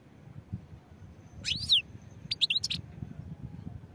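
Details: European goldfinch giving two short bursts of liquid, slurred twittering notes about a second apart, with quiet background between them.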